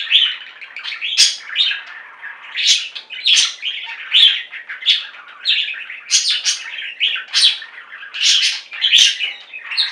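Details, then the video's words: A pet budgie flock keeps up steady singing: rapid rising chirps and raspy warbled notes repeating about twice a second throughout. "Most Beautiful Budgie songs Ever: Budgies singing and chirping"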